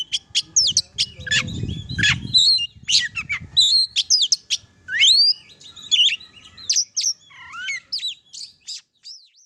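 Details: Melodious song of an oriental magpie-robin, a recording used to train other birds: rapid, varied high notes, sharp chips, upward sweeps and twittery phrases in quick bursts, with a brief low rustle early on.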